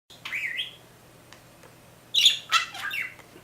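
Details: Small pet bird mimicking R2D2 robot sounds indoors: a rising whistled warble, a pause, then a burst of harsh, scratchy electronic-like chirps and a falling whistle.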